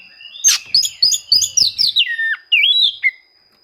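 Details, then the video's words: Oriental magpie-robin rival-seeking song, used to coax quiet birds into singing: a quick run of bright notes sliding downward, ending in short warbles. "suara kacer mencari musuh, cocok untuk memancing kacer susah bunyi."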